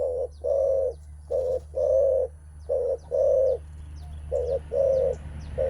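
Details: Spotted dove cooing at a rival, a display males give before contesting strength: low hollow coos in pairs, a short note then a longer one, repeated about every second, faint high chirps of other birds behind.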